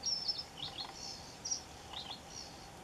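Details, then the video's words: Red-throated pipit recorded in Cyprus: high, thin drawn-out whistled notes, a few brief lower slurred notes between them, calls spaced irregularly over constant soft background noise. "Red throated pipit - Anthus cervinus - Κοκκινοκελάδα - Κοτσινογαλούδι"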